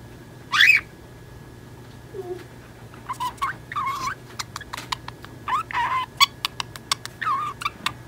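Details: Ten-month-old female pet budgerigar chattering in imitation of another budgerigar's talk, copying its speech and movements. Short chirpy, squeaky syllables come in scattered bursts with brief gaps, mixed with sharp clicks.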